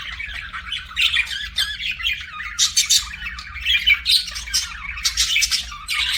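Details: Chattering budgies produce a steady stream of short scratchy chirps and squawks in quick bursts, several birds overlapping in a lively warble.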